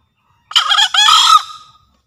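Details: Lure crow of the green junglefowl of Java: a two-syllable harsh call, a quick gravelly first note followed after a short break by a longer buzzing note that trails away. Otherwise silent.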